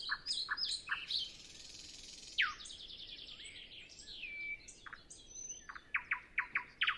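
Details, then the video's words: Nightingale in song before sunrise, no wind, no other birds yet, recorded on Zoom F6 with Sennheiser MKH 8040: quick clicking notes, a harsh buzzy stretch, a rapid rattle and a slurred whistle, then emphatic repeated chips. "Nightingale Sound Library"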